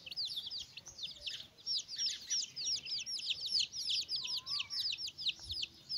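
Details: Chicks with their mother hen while eating: fast, shrill, falling peeps in a continuous chatter, with one soft wavering whistle partway through.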